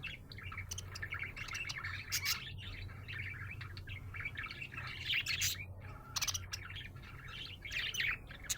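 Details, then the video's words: A happy budgie keeps up a busy chatter of scratchy warbles, clicks and squeaky chirps throughout, with a low steady hum underneath. "Happy budgie chirping sound"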